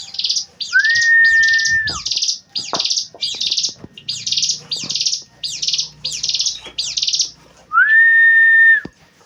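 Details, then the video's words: Javan prinia (ciblek gunung) song used for songbird training: a long flat whistle opens, then about ten rapid scratchy buzzing bursts in a steady rhythm, then another sustained whistle that rises at its start. "ciblek gunung"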